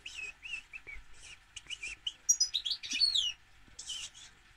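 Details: Continuous European goldfinch song: repeated bouncy chirped notes build into a fast jumble of high twitters and sliding whistles, then ease off, against a quiet humming background.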